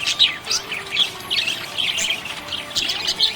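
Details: Budgerigar in a happy mood, chirping in quick scratchy bursts with slurred warbling notes, the chatter rising and dipping in loudness almost continuously.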